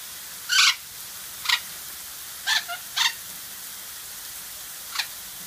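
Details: Several short, scratchy squawks from golden parakeets kept with a rainbow machine, spaced irregularly about half a second to two seconds apart, the first loudest, against a soft constant hiss.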